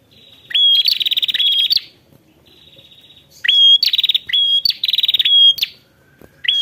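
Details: An ashy prinia calling a rival delivers two loud bouts of upswept whistles and rapid buzzy pulsed trills, separated by a quiet spell of faint reeling.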